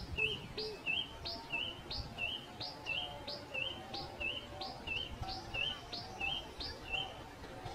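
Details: A pipit repeats bright, clipped high chirps, each with a rising flick, in an even series of about sixteen notes, with a faint low murmur underneath.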